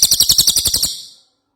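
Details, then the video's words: Ashy tailorbird giving a single quick burst of about ten high, buzzy pulsed notes that lasts under a second, then silence. "Cililin Gacor"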